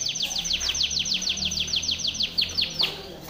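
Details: Timbrado canary singing a training song: a steady series of loud, bright descending whistled notes, roughly three per second, ending in a short burst, over faint low hum.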